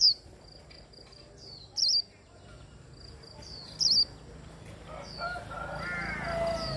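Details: Japanese white-eye in líu style, hand-held, singing to encourage other birds: sparse high chirps with two short bright twittering bursts about two seconds apart, while a broad rustling noise rises near the end.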